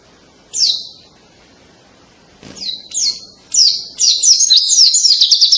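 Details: White-eye with loud song likened to a canary: a few separate high, descending notes, then a quick, continuous trilled run building at the end.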